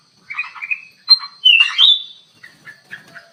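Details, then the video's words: Caged in an aviary and used for luring, a black-crested bulbul sings lively bursts: harsh chirps, one bright upslurred whistle and a descending slur, then softer short notes tapering off. "KUTILANG EMAS GACOR DIDALAM AVIARY"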